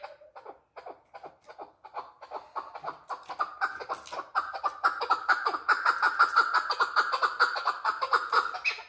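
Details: Male chukar partridge: a clucking series beginning with soft, spaced chucks and accelerating into a loud, rapid, rolling chatter.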